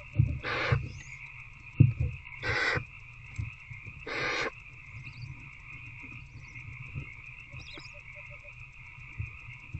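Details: Barn owl nest box after dark, 19 February 2024, adult feeding older owlet: three brief rasping hiss-screeches about 1.8 seconds apart, then quiet with only faint scratching and steady background drone.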